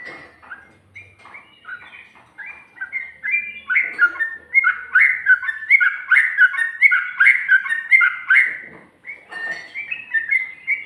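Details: Yellow-vented bulbul song with ropel, ngikluk and garuda styles: a long run of quick, bubbly whistled notes rising and falling around a steady pitch, starting sparse and building into a dense, continuous chatter with a short pause near the end.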